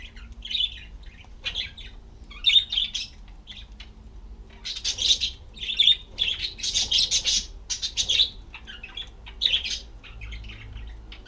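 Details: Budgerigars on a homemade bicycle wheel that turns when they sit on it chatter steadily: rapid bursts of high, scratchy chirps and warbles, densest in the middle, with short quiet gaps and a faint low hum beneath.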